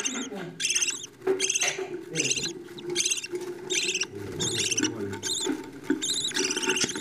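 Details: Budgerigar chicks being fed by the parents utter scratchy, rattling bursts spaced about a second apart, with a murmuring lower layer and some clicks in the background.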